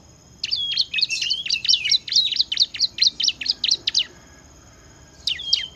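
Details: Bar-winged prinia in full ngebren song, a rapid, even run of about fifteen sharp high chirps, a short pause, then the series starting again.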